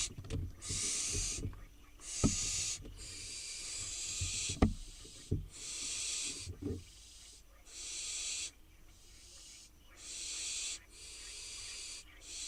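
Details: Barn owl fledglings, wild in Israel, begging on a nest box as they wait for dinner; about nine rasping hiss-screeches follow one another over twelve seconds, with scattered wooden knocks and scraping early on.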